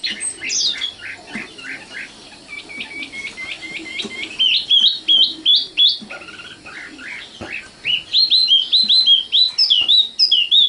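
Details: Common nightingale called sikatan londo: varied phrases starting with descending chirps, then a fast run of repeated notes, quieter low warbling, and finally loud ringing hooked whistles repeated rapidly.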